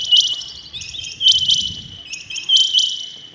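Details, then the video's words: Rain quail calling early in the morning: sharp, high, doubled notes repeated roughly every 1.2 seconds, each pair slightly slurred, over faint low rural background noise. "Rain quail calling 2021 | common quail calling early in the morning | چنگھا بٹیر کی زبردست آواز"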